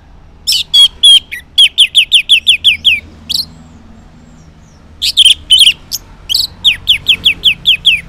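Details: Orange-headed thrush song in the morning, played as a lure so silent males answer: loud rich phrases of rapid descending whistled notes around 3-4k, repeated in bursts, a pause, then another burst of similar descending notes.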